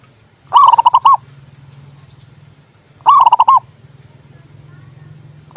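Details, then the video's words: Zebra dove song repeated every two and a half seconds: stuttering bursts of rapid, mellow pulsed coos over a steady low hum, with a faint high chirp in a gap. "TERAPI PERKUTUT MOGOK BUNYI PALING TOP"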